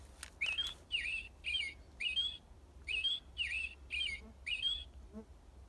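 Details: An American Robin at a school forest bird-watching station sings a run of clear, rich, warbled "cheerily cheerio" phrases, each rising then falling, delivered in quick caroling bursts with short pauses between.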